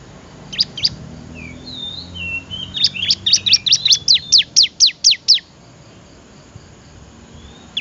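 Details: Bar-winged prinia singing, recorded for training other cage birds: two high chirps and soft thin whistles, then a rapid run of about ten crisp, high, descending notes repeated evenly before stopping abruptly.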